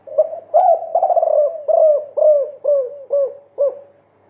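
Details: Spotted dove (derkuku) multi-kuk song, used as a training lure for caged birds: a run of about eight short, low, hooked coos, the early ones blurred together, then clearer separate notes roughly every half second before fading.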